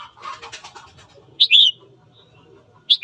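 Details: Morning song of a red-whiskered bulbul, played to stir up fighting: a brief muffled rustle, then a loud two-note whistled phrase, with another phrase starting at the end.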